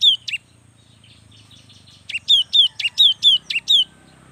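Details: Cinereous tit, a young bird in full song meant to set other tits singing. Two quick notes open, then after a gap a fast series of sharp-plus-descending whistled pairs follows, clear over faint low background hum.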